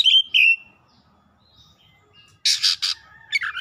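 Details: Kacer, an Oriental magpie-robin, singing with rising excitement and its isian fill-ins: two loud falling whistles, a quiet stretch, then three rough grating bursts and a quick twittering phrase.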